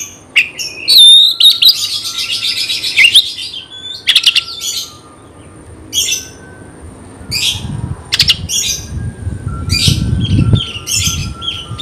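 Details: Oriental magpie-robin song played to provoke fighting: a loud whistled and buzzy opening phrase, then spaced short harsh chirps over a faint steady hum and low rumble.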